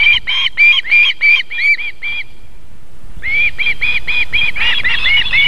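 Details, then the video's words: At a South Estonian nest in Võrumaa, a female osprey feeds her young in July evening light; bursts of sharp, ringing whistled yelps repeat quickly, pause for about a second, then resume in a dense run. "Miina feeds her "babies" (kalakotkas | Marko + Miina)"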